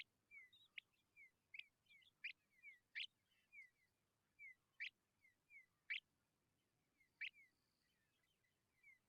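Tawny pipit chicks beg with a steady run of thin, high, down-slurred notes, broken about every second by sharper, louder chips.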